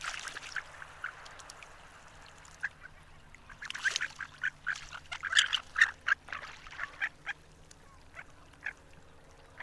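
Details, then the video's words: Harlequin duck giving a lively run of short, high squeaky calls, quiet at first and then a busier burst of rapid, irregular notes in the middle, fading to scattered squeaks over low steady noise. "Canto do pato arlequim"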